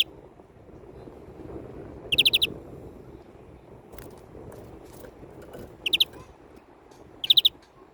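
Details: European greenfinch delivering three bursts of quick, clear repeated notes, the first after two seconds and two more close together near the end, over a soft background murmur.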